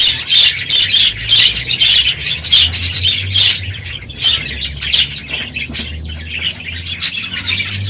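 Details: Budgerigars in a full aviary, noisier than usual in the morning at the end of breeding season: rapid harsh squawks about every half second over continuous chatter and a low hum.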